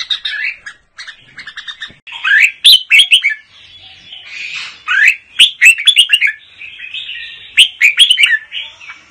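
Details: A red-whiskered bulbul, a 'Mơ' type bird, sings in double-voice ('giọng kép') style. Loud, clear whistled phrases of sweeping, bending notes come in quick bursts with short pauses between them. The background is quiet.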